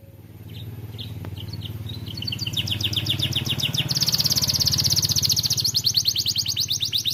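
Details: Aviary canary, a young bird starting to sing, builds from scattered high chirps into a dense fast trill of rapid notes over a steady low rumble of background noise.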